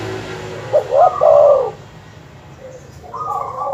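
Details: A single dove coo phrase, used to stir up rival birds: two quick rising notes, then a sustained soft coo, followed by quieter repeated chirping notes in the background.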